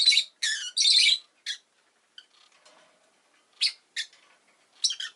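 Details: Rosy-faced lovebird (Agapornis roseicollis) gives harsh, shrill chirps and squawks in short bursts: a cluster at the start, then scattered sharp calls after a quiet pause. Street noise such as car, motorbike and bicycle sounds may be in the background.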